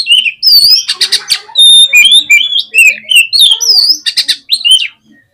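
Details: A fast, loud, nonstop magpie-robin song used to work up other birds: tumbling whistled phrases, rising and falling slurs, and harsh buzzy chatter bursts mixed throughout.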